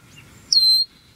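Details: A black bird filmed close up from under five feet away, peeping loudly while enjoying its breakfast; a single sharp, high, whistled peep drops briefly and then holds level for about a third of a second, with a quiet, low background hum.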